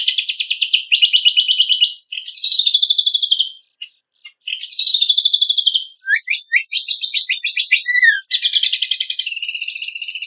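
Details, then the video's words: Kecial kombok, or cucak kombok, in full song for contest bird training: long, high, buzzy rattling trills, a brief pause, then a quick series of downward-slurred chirps before the trilling resumes. "MASTERAN CUCAK KOMBOK|KECIAL KOMBOK GACOR FULL MATERI ISIAN MEWAH KOMPILASI SUARA BURUNG LOMBA"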